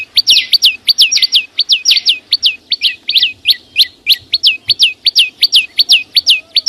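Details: Chim sâu xanh singing a lively, repeated pattern of high, sharply down-slurred whistles mixed with short ticks, about three per second, with a faint hum underneath.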